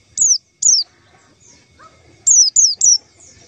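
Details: Calls of white-eyes played as a lure for catching the birds: sharp, high whistles that fall in pitch, one pair and then a run of three close together, with faint soft chirps between them.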